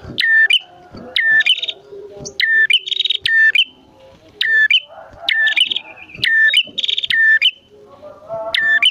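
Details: Bar-winged prinias, male and female, trading quick phrases: clipped chips and short buzzy rattles come about once a second, over low murmuring tones in the background.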